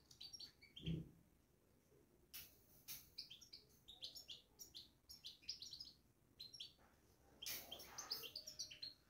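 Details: Caged European goldfinch giving its babbling song (batbata): scattered bursts of high, bright twittering chirps with short pauses, a denser chattering run near the end, and a single low thump early on.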